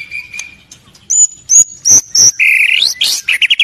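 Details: White-rumped shama (murai batu), Indonesia, presented as a lively singer with a complete range of learned phrases. Loud high whistled notes at intervals with sharp clicks between, then rising slurred whistles and a quick stuttering finish.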